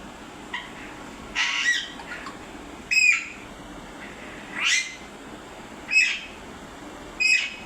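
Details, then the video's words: Parrot making noise: harsh, bright squawks with a short whistled note, about six bursts spaced irregularly roughly a second apart, over a quiet indoor hum. "Parrot making noise 😂||parrot sounds"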